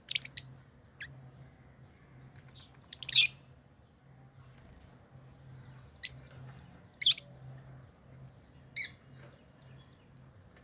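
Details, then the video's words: Lovebirds give sharp, shrill chirps and harsh squeaks at irregular intervals, some in quick pairs, over a low steady hum in the background. "Love birds Sounds | lovebirds chirping sounds"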